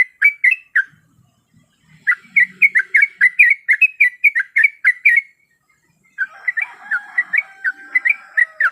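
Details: Breeding-condition female sooty-headed bulbul calling a male: bursts of rapid, slurred chirping notes, a silent pause of about a second after the opening burst, then a long run of notes, a second break, and another run.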